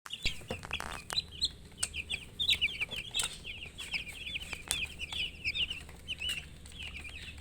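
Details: Baby chickens peeping constantly, a dense run of short, high, rising and falling chirps overlapping one another, with a few soft knocks and rustles beneath.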